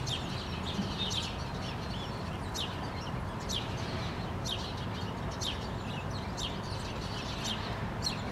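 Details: A flock of House Sparrows calling from a rose bush on an August 2013 morning in Helsinki, Finland: sharp chirps repeated roughly every half second to second, with constant low traffic-like rumble underneath.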